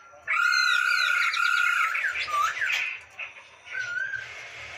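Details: Masked laughingthrush (poksay hongkong) song: loud whistled phrases with rich harmonics, a long steady note followed by rapid slurred, rising and falling notes, then softer whistles after a brief drop.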